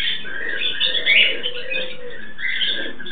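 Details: Mating pair of captive Turquoise-fronted amazons: rough, buzzy calling held almost without break, a low droning murmur below and a brief louder shriek partway through.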